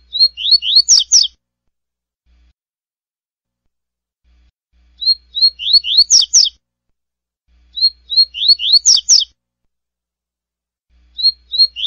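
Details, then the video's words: Double-collared seedeater delivering the classic tui-tui song style, about four phrases, each a quick string of high whistles and rising slurs ending in buzzy, scratchy notes, separated by silent gaps of several seconds. "Coleiro Tui Tui Clássico"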